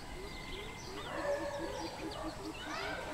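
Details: Greater coucal, recorded 13/06/2020: low, hollow hoots repeated about four times a second in an even series, with thin whistles and chirps from other birds above.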